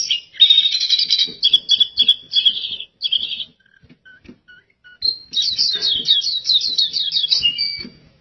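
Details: Chattering white-eye song: a dense burst of sharp high notes, a quiet gap with a few soft lower tones, then a fast rippling series of descending chirps, each repeated rapidly.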